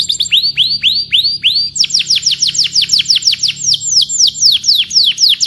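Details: Canary singing as a tutor song for training canaries: a string of high, drawn-out whistles that slide downward, followed by faster repeated falling notes at roughly two per second, clear and loud over a faint low hum.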